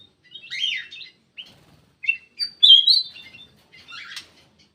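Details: Black-crested bulbul giving a lure call: a few quick chirpy phrases, then a loud, clear, rising whistled slur and a final buzzy burst, all within a few seconds.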